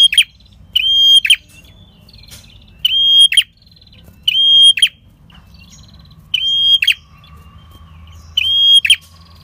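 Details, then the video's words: Red-headed prinia in lively, long-drawn song for attracting wild birds: five ringing level whistles, each with a rasping end, spaced by pauses of one to two seconds. "Pancingan PRENJAK KEPALA MERAH Gacor Ngalun"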